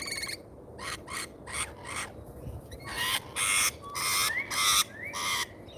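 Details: Rainbow lorikeets visiting a feeder in Australia, live camera; loud grating screeches in repeated bursts, with a few thin rising whistles between them and steady background hiss.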